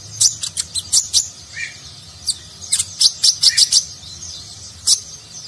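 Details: Konin (kolibri ninja), a nectar-feeding sunbird, sings in the Nagen style used for training contest birds. Bright, high, sharp chirps come in quick bursts with short gaps, plus a few lower twittering notes, against a faint low hum.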